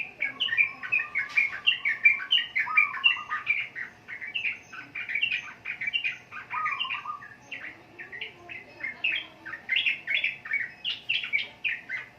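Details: Sooty-headed bulbul giving a long, steady run of rapid, chattering warbled notes, with a lower whistled tone threading through at times.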